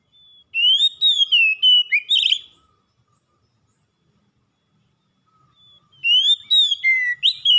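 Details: Oriental magpie-robin in full, continuous song, used to stir a reluctant bird into singing: a phrase of clear, loud whistles sliding up and down with quick twittered notes, lasting about two seconds, silence, then the phrase begins again.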